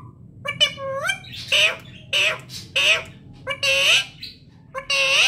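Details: Pet parrot talking, a run of harmonic speech-like phrases with rising and falling tone, broken by harsh bursts, about six utterances in five seconds with short gaps, over a low hum.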